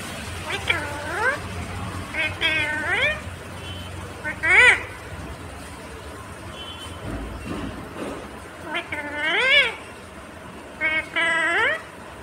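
An Indian ringneck parrot says about six short, word-like phrases in a nasal, speech-like voice, some rising into squeaky sweeps, over a low background hum.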